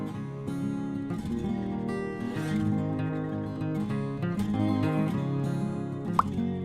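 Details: Plucked acoustic guitar music plays throughout, steady and harmonic, with no animal calls.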